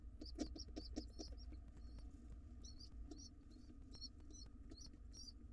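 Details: Hungry wild pigeon chicks begging when the father comes home to feed them: bursts of thin, high squeaks in quick runs, pausing briefly mid-clip before resuming, over low rustling and dull knocks.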